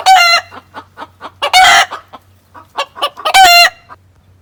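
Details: Farm chickens call out after a hen lays her egg, as they do every time: short regular clucks broken by two loud, harsh drawn-out cackles, guinea fowl audible behind.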